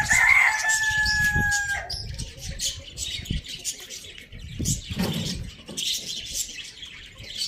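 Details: A rooster on a village farm ends a crow with a steady, harmonic, held note lasting under two seconds. Busy high chirping of small birds and some low rustling fill the rest.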